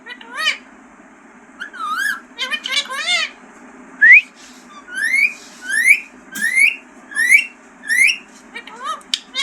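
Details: Talking green parrot opening with a few wavering squawks, then a regular series of clear rising whistles, about one every 0.6 seconds, in a quiet indoor setting.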